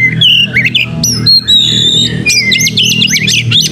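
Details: Oriental magpie-robin (kacer) in full gacor song, tail spread, as a pancing lure: varied slurred whistles and squeaky phrases, ending in a fast string of high chirps, with steady low hum underneath.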